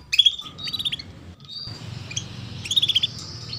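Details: 'Cuit cuit' chirps of a female canary used to encourage young canaries to sing; a rapid run of sharp high notes, a short whistled tone, then another fast string of bright chirps.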